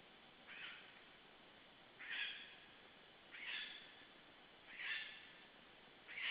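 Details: Lesser spotted eagle nest in Estonia on 19 July 2013 near midday, nest camera, chick hatched 11 June: harsh, raspy, drawn-out calls repeated about every one and a half seconds, five in all, over a steady background hiss.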